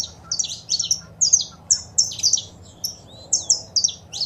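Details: Female saffron finch calls and male song used to stimulate a kept bird: paired high chirps in short clusters separated by brief pauses, one soft falling whistle.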